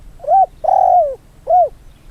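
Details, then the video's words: Trained decoy spotted dove, nearly two years old, cooing during field training after recovering from an illness that twisted its neck; three low mellow coos, the middle one longer and drawn out, over faint background hum. "ตอนนี้ก็โอ้ขันไปเรื่อยๆครับใช้ได้อยู่นะครับผมอ่า"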